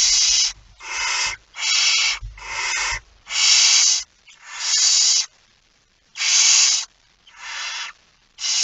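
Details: Barn owl carrying a mouse, recorded at 01:49 on 17 September 2019: nine rapid rasping, breathy screeches in quick succession, some run close together, with low scuffing and rubbing noises underneath early on.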